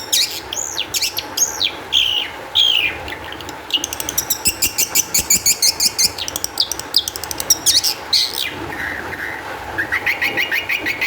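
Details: Highly excited Long-tailed shrike singing as a lure to prompt other shrikes to sing: sweeping slurred whistles open, then fast rattling trills of rapid repeated clicks, ending in rising buzzy notes.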